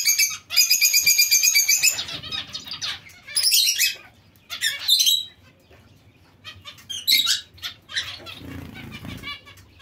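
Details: Zebra finch colony kept together with Bengalese finches: dense bursts of bright, nasal, harmonic calls, rapid and overlapping, with quieter chirping and soft low rustling between bursts.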